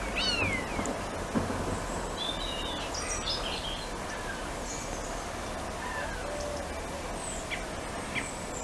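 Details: A singing common starling in a garden, imitating other birds, opens with a drawn-out, falling mew copying a European buzzard call, then scatters varied clicks, chirps and thin whistles over a steady low background hum.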